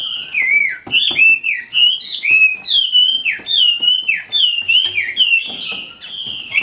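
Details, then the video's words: Treepie (wambi) in lively, vigorous song: a continuous chain of loud whistled notes, each swooping down then up, repeated roughly twice a second for over six seconds, with a steady faint hiss behind. "SUARA KICAU WAMBI GACOR"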